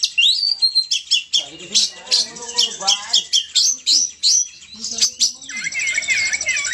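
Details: Oriental magpie-robin, a kept songbird in full song: sharp rising whistles and rapid chirps, a burst of lower warbled notes in the middle, then a fast buzzy trill at the end.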